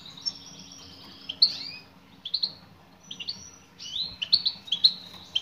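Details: Goldfinch female, European, calling toward a male. Thin drawn-out high notes lead into rapid runs of bright twittering chirps, growing busier toward the end.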